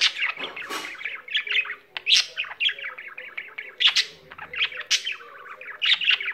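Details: Pet budgie singing without pause: bubbly, busy stream of chirps, trills and scratchy notes, with sharper squeaky accents every second or so.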